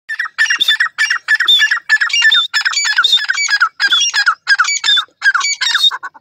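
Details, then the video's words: Grey francolin calling while looking at the sky: loud, harsh, repeated squawking phrases in a steady rhythm of about two per second, each phrase a cluster of grating notes, with no other clear sounds. "partridge speaks looking at the sky,foji teetar ki awaz"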